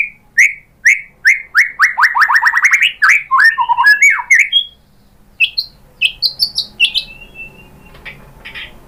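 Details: Lure song of a white-rumped shama meant to draw a reply from another bird: a quickening run of rising whistled notes, then tumbling warbles, a pause, and a few high piping notes.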